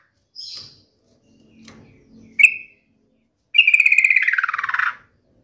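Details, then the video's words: Yellow-vented bulbul in full song, meant to provoke other bulbuls into answering angrily: a high thin note, soft chirps, a sharp chip, then a fast pulsed trill about 1.5 seconds long that slides downward. "7 macam TOP SUARA trucukan gacor seperti ini dijamin bikin trucuk manapun nyaut emosi ngamuk"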